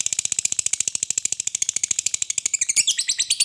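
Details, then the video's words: Lovebird 'ngekek panjang', a long chatter meant to lure lovebirds into song: a rapid, even, buzzy rattle of high notes, about twelve per second, breaking into scratchy chirps near the end. "suara burung Lovebird Ngekek Panjang terampuh buat pancingan Lovebird agar cepat bunyi dan GACOR"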